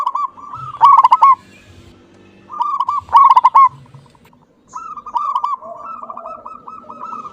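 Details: Active local zebra dove with a clear voice, giving two loud rippling coo phrases about two seconds apart, followed by a long, quieter chain of rolling coos.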